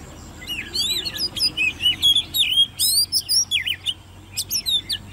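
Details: Ten-month-old Oriental magpie-robin, hand-raised in a cage, in competition song: a long, continuous run of bright warbled whistles, swoops and quick chips, varied and rhythmic, tapering into a few final notes.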